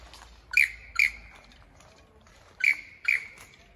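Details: A lyrebird in the Dandenongs, Australia, gives loud, sharp, ringing notes in two quick pairs, each pair about half a second apart, with quiet background between.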